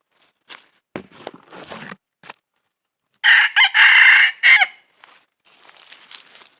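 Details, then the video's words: Red junglefowl at a wild-trapping site, recorded 22 December 2021: a harsh multi-part crow in the middle, broken into four loud bursts, with scattered clicks and rustling before and after. "Cuab qaib qus"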